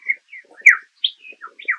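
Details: Male Superb Lyrebird in bush beside a forest trail in the Dandenongs near Melbourne, serenading an unseen female with a rapid string of varied mimicked calls: clear whistles and sweeping, slurred notes, each different; a kookaburra imitation follows.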